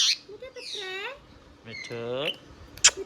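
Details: Pet Indian ringneck parrot talking: a loud sharp click, then two high, nasal, speech-like phrases with rising and bending tones, separated by short gaps and ending in another sharp click.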